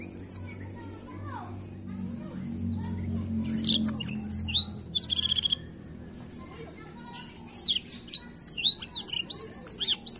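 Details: Black-throat delivers a long, varied twittering song of high whistles, downslurs and a short rattling trill, pausing briefly midway before resuming with fast chirps; faint low rumble underneath.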